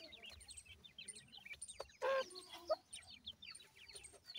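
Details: Several francolin chicks peeping in high, quick descending chirps, with a loud, brief, harsh burst around the middle and scattered clicks.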